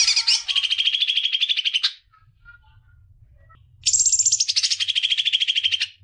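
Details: Greater green leafbird song for stimulating young birds: two long bursts of rapid, buzzy, high trilling, each about two seconds long, separated by near silence with faint low background noise.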